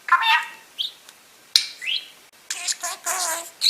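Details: Pet budgerigar perched on its owner's shoulder indoors, talking non-stop while she sorts tumbled peridot gemstones; warbled harmonic phrases and quick rising chirps give way to a dense, scratchy burst of chatter near the end.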